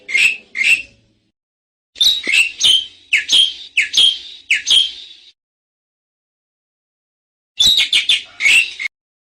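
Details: Bali myna, a protected species becoming scarce in its wild habitat, giving harsh, buzzy, high notes in quick series of about five to eight, with a short group first and silent gaps between the bursts.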